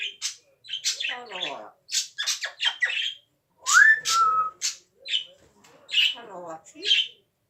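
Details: Pet parrot making rapid scratchy squawks and clicking bursts, one smooth rising whistle that drops slightly and holds, and a few low raspy notes between.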